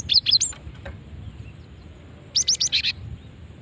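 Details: Calling female cinereous tit, used as a lure: a short run of high, thin chirps at the start, then after a pause a second burst of five or six quick, slightly lower sharp notes.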